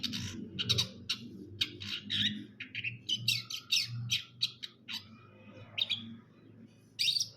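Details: Long-tailed shrike song: a rapid stream of harsh, scratchy chattering notes, high and buzzy, packed densely with short pauses, and a faint low hum underneath.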